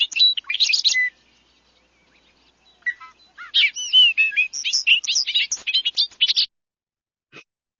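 A bubbling, tumbling Bobolink song of rapid metallic, robot-like notes jumping up and down in pitch, in two bursts with a pause between.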